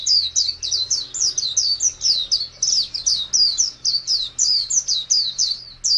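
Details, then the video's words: Caged white-eye (pleci), a popular pet and contest bird: continuous high-pitched twittering of quick, looping down-slurred notes, evenly paced, with a low steady hum beneath. "Birds Chirping Pleci Master Joss Chirps"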